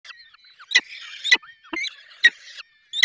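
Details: Falcons at a nest in the Barycz Valley during feeding: sharp, high chipping calls at irregular intervals, with thin, wavering whining notes between them.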